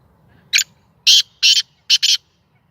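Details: Sindhi black francolin kept by its owner and no longer fearful, giving its first call: a brief grating opener followed by four loud, buzzy, rasping notes ending in a clipped double.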